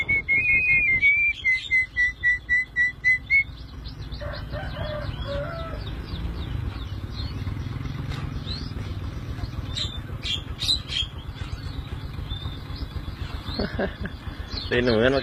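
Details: Tame pet Javan myna in full song: a quick series of about eight clear, level whistled notes, evenly spaced, then fainter scattered chirps and twitters over steady background rumble and handling noises.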